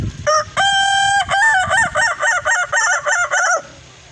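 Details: Red kukuak balenggek rooster crowing in the evening while posing; one long crow of about three seconds: a short opening note, a sustained even tone, then a rapid run of about eight wavering, stepped syllables before fading.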